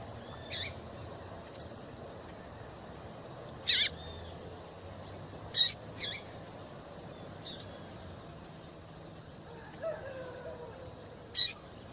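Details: A female double-collared seedeater calling persistently, used to excite males, gives short, sharp, high 'piu' notes, singly or in quick pairs, spaced irregularly every one to three seconds over a soft background hiss.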